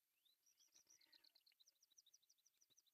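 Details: Osprey chicks, three babies at an artificial nest in Pohjois Satakunta, Finland, during breakfast feeding on July 1, 2024: a rapid run of thin, high chirps, evenly spaced and rising in loudness toward the end.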